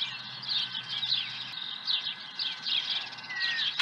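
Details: Osprey at its nest on a ranch with an early fish, morning of 30 April 2020 around 7 a.m.: a steady series of high, sharp chirps, a few each second, with slurred whistled notes and a faint constant hum underneath.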